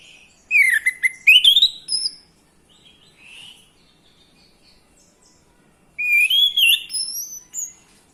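Orange-headed thrush giving two rich, varied phrases of sweet whistles and slurred high notes, separated by a few seconds of near silence.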